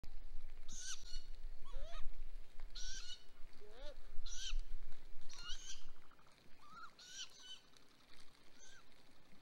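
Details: Great grey owl nest on May 12, 2020, as the male brings prey after 28 hours without feeding. Rising, slurred whistled calls with harsh hissing screeches, repeated about every second, loud against a low rumble.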